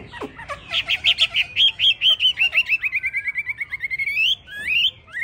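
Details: Hwamei of the 'tam hoàng' type, with yellow legs, bill and plumage, delivers a long rapid series of ringing whistled notes. The notes slowly shift in pitch and end in a rising flourish.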